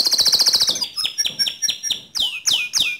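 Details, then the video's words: Canary song aimed at provoking another canary to sing: a fast high trill gives way to a series of clipped chirps, then three loud, sharply descending whistled notes. "Pancing Emosi Kenari Anda Agar Cepat Ngerol Nembak Seperti Kicau Kenari Ini"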